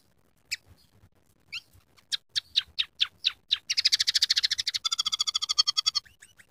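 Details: Scaly-breasted munia (emprit or bondol peking) in full song, its repertoire filled with canary, house sparrow and red siskin phrases: scattered sharp clicks speed into a fast buzzy rattle, then a nasal trill ends with short rising notes.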